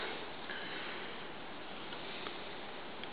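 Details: Only a steady broadband hiss with faint ticking clicks is heard, with no animal voice.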